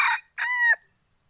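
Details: An owner's F2 hybrid red junglefowl crowing: a short, coarse first syllable, a pause, then a steady, ringing, harmonic note held for about a third of a second before it drops away. No other sounds are heard.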